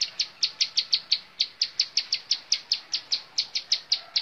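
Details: Loud, close bar-winged prinia song in montal mantul style, a steady stream of sharp high ticking notes, about four to five per second, with a quiet background.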